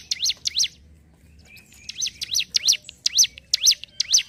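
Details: Hill prinia (ciblek gunung) in ngentrok song: two quick V-shaped notes, a pause of about a second, then a run of seven sharp down-and-up notes, evenly paced.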